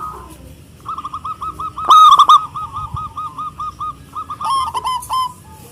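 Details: Local zebra dove singing to call rivals: a long string of soft, evenly repeated cooing notes, with one loud rolling burst near the middle and more clustered notes toward the end.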